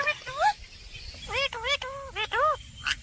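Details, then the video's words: Parrot talking in a string of short, voice-like syllables with rising and arching pitch, several in quick succession mid-way, over steady low background hiss and a faint high tone. "Parrot Talking"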